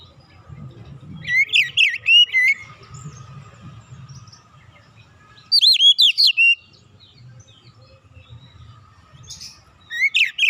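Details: Oriental magpie-robin giving relaxed song used as a lure to get other birds singing: three bursts of rich, slurred whistled phrases, each about a second long, separated by pauses, over a faint low hum.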